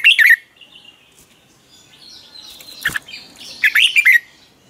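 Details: Red-whiskered bulbul in morning training song; two short chirpy warbled phrases at the start and end, with faint whistles and a sharp click between.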